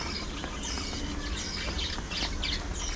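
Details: A group of playful pet parakeets (budgies) warble continuously, making quick rising and falling high chirps in tight succession over a loud low hum.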